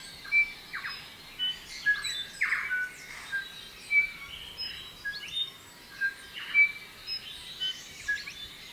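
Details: Silvereyes feeding on fruit in a garden give thin, high chirps and short twittering notes, several birds calling over one another at an irregular pace; bellbird song is said to be in the background.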